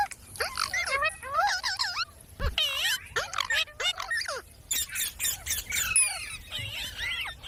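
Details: Pet parrot talking: bursts of twisting, speech-like warbles and squawky upsweeps in phrases about a second long, separated by short silences, with a thump near the middle.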